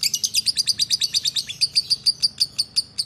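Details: A group of lovebirds (ombyokan) singing busily: quick, piercing, high chirps repeated roughly three times a second, evenly pulsed and loud, sliding slightly in pitch, over a low background hum.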